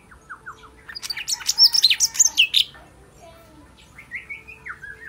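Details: Sooty-headed bulbul song, described as clear and powerful: a few short downslurred whistles, then a dense burst of high, rapid chirping notes, followed by quieter slurred whistled phrases rising and falling, with faint background hiss.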